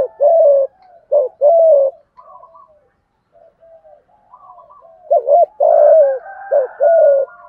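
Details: Spotted dove giving thúc gù coos in thổ voice, used to rouse decoys: two short-then-long hooted pairs, a stretch of faint soft notes, then a louder burst of doubled short notes and long coos.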